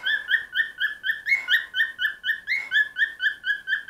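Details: Singing pet cockatiel delivering evenly spaced whistled notes, roughly two each second, with a higher rising note in the middle of the phrase, clear and loud against a quiet room.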